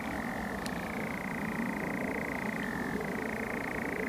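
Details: A male European nightjar churrs at night in June on Wisley Common, Surrey heathland, close by in birch trees: a dry, even, mechanical trill that dips slightly lower near the end, over distant A3/M25 traffic rumble.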